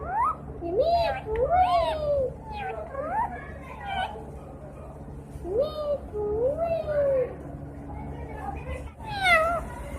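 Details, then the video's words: Talking parrot producing speech-like phrases, with rising and falling swooping syllables in short bursts and pauses between them, indoors with a steady low hum. "talking parrot"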